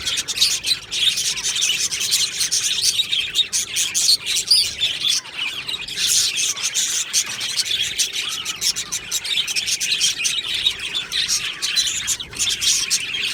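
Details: Budgie colony in an aviary with continuous chattering song, scratchy warbles and rapid chirps from many birds, the chorus swelling and easing but never stopping.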